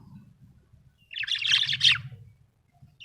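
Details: Contented budgerigar letting out a single scratchy, warbling chirp phrase over a steady low hum.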